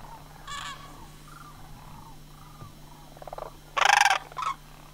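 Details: Sandhill cranes at Homer during September 2009 migration. Quiet, distant purring calls come first, then a loud harsh rattle near the end and a shorter one after it, over a faint low hum.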